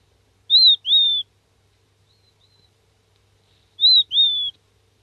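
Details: A seven-day-old king quail chick gives contact calls, high, thin whistled peeps in pairs with each note sliding down; two pairs come about three seconds apart over a quiet background.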